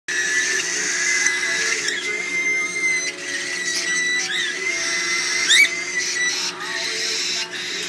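Cockatiel chicks beg at feeding time with a steady, shrill, buzzing wheeze that rises and bends in pitch.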